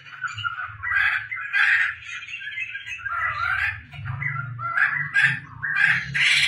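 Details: Tame laughingthrush kept at home, singing actively: loud, rich warbled phrases around the middle range, delivered in bursts with short pauses, some brighter higher notes near the end, and a low steady hum underneath.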